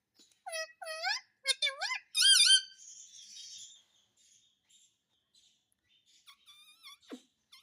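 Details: Talking parrot saying "mummy papa": a run of harmonic, wavering vocal syllables rising and falling, loudest around the middle, followed by a soft hiss and faint scattered squeaks.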